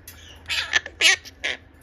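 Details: Captive four-year-old male green monk parakeet begging its mother for food, giving four harsh, raspy squawks in under two seconds with short gaps between them, over a faint low background hum.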